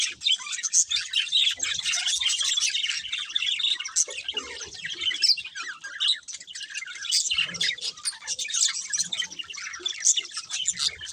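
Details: A flock of budgies keeps up continuous chirping: rapid, overlapping high twitters, squeaks and warbled phrases, steady throughout with only slight swells in loudness.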